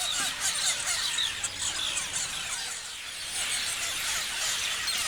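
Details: Parrots chirping as a dense flock: countless high, overlapping squeaky chirps and short rising and falling notes blend into a steady, busy chatter with no pauses.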